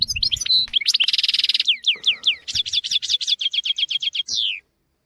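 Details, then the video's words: Tutor recording of a European goldfinch for young goldfinches and canaries: twittering notes leading into a buzzy trill, then a long sequence of rapid, evenly spaced downslurred chirps ending in a falling slur. "تغريد طائر الحسون حفاضة لتعليم طيور الحسون والكناري بدون أخطاء"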